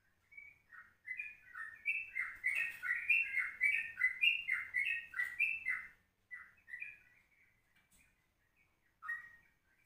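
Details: Yellow-vented bulbul from a morning recording at 04:30, used to lure birds and tutor the ropelan style. A dense, chattering burst of bubbly notes is followed by sparse single notes and a faint low rumble behind.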